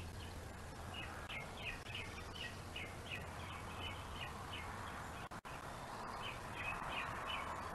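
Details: At a bald eagle nest on Gabriola island, where prey is mantled and kept while a juvenile waits to steal, thin high piping notes repeat rapidly in a long series against steady hissing background noise.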